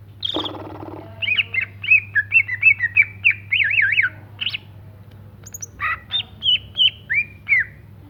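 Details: Greater green leafbird in lively song: a short harsh buzz, then a long run of bright, wavering whistled phrases and sharp chips, about three notes a second, over a constant low hum.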